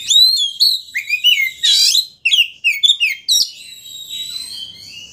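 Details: Singing Oriental magpie-robin, a lure meant to anger a rival into opening its tail: long clear whistles, falling slurs and harsh rasping notes run together in a dense, varied phrase.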